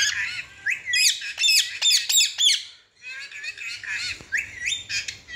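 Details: Baby green Indian ringneck parakeet making noise while eating and playing on a cage. Harsh, screechy squawks come in rapid bursts, many with rising or bending pitch. There is a short pause near the middle, then more squawking follows.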